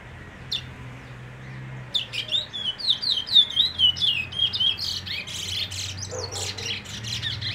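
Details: Brown bullfinch uttering a lively series of slurred, up-and-down high whistles roughly three to four per second, fading into scratchy rustling and a low hum.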